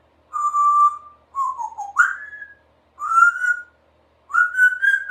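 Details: A 3-year-old female Congo African grey parrot, kept as a pet in a country home, practising sounds: four clear whistled notes, each long and gently rising or bending, separated by short silences, with no other sounds.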